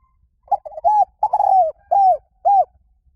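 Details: Spotted dove song in the liw tan style, for playback to lure and train doves to answer: five clear, mellow coos around one pitch, the longer ones falling at the end, spaced about half a second apart.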